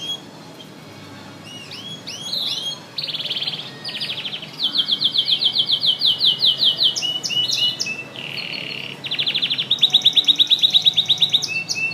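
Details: Canary singing intensely: rapid rolling trills of repeated notes, some buzzy and some clicking, in sections of several seconds each, broken by short upswept whistles and a brief pause.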